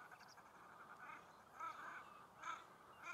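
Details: Common shelduck fighting during the mating season: short harsh calls in uneven pairs and groups against a busy background of other calls.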